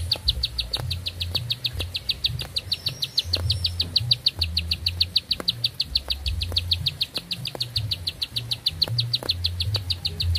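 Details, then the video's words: Bar-winged prinia in full, long-breathed song: a steady rapid run of high, clipped notes repeated several times a second throughout, with a low droning hum and occasional faint clicks underneath. "Nafas Panjang, Nembak Satu Lagu, Ciblek Sawah Gacor"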